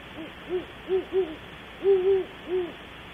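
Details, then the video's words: Wild great horned owls at Audubon Starr Ranch, California, calling around 3 am, picked up by a webcam: a series of six deep, soft hoots with a rhythmic pattern, including a quick double hoot near the middle, against quiet night background. "Great Horned Owls start up around 0300hr"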